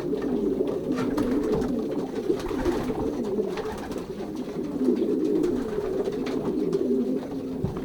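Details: Pairing season in a loft of young racing pigeons, Pruszków branch, Poland, 2023; many birds coo together indoors in a deep, continuous throbbing babble, slightly swelling and fading.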